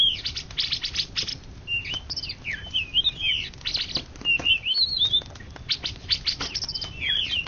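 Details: Champion greater green leafbird from an Indonesian nationwide contest, 2013–2014, pouring out a dense medley of clear whistles, twisting slurred phrases and dry ticking notes in quick succession.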